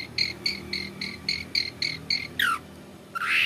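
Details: Long-tailed shrike lure song of the toet toet style, meant to make another shrike answer and sing: eight evenly spaced nasal toots about every quarter second, then a steep downslurred whistle and a harsh rasping note.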